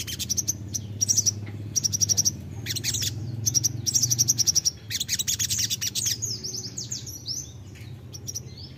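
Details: Crimson sunbird song for luring birds: quick clusters of very high, tinny twitters repeated in bursts, ending in looser, softer chirps, over a low background hum.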